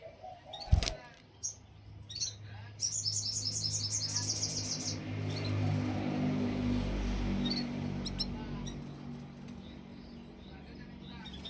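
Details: Canary singing: a rapid run of high, evenly repeated notes in the middle, with scattered chirps before and after over a low steady background hum and a sharp knock near the start.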